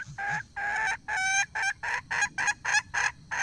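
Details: Red junglefowl hen giving a run of loud, nasal, harmonic clucks, about two per second, each note short and slightly rough, with brief silent gaps between them.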